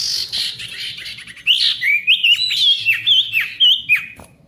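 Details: Energetic Ashy tailorbird song meant to coax silent tailorbirds back into song: a hissy opening, then a quick run of about eight bright, sliding whistled notes, each bending up and down.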